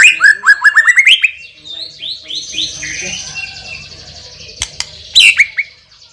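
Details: A champion white-rumped shama with a loud, hard voice opens with a fast run of rising whistled notes, then softer warbling phrases over a faint low hum before a final bright whistled burst.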